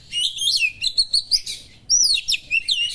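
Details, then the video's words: Oriental magpie-robin, locally kacer, giving sharp small-bird mimicry that is meant to fire up other kacer; fast rhythmic whistled syllables repeated about four times a second, a short gap, then a high rising-falling phrase. "suara burung kacer materi tajam burung2 kecil,mengungah emosi kacer"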